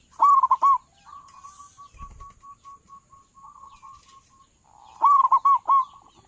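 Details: Zebra dove, a local bird with a big voice kept as a trappers' lure: a short burst of rolling coos, a long soft stretch of drawn-out cooing, then another loud rapid burst; one dull thump midway.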